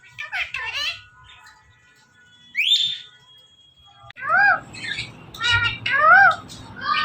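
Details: Indian ringneck parakeet kept as a talking pet: a raspy harmonic phrase, a pause, then a clear rising whistle, then a series of short nasal, arched speech-like syllables repeated at uneven intervals.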